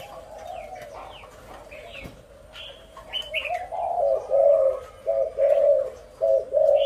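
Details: Spotted doves, described as a very large number calling loudly: low, soft coos start faintly, then grow into short, loud hooting notes repeated roughly every half second toward the end. Higher chirps from other birds are scattered throughout.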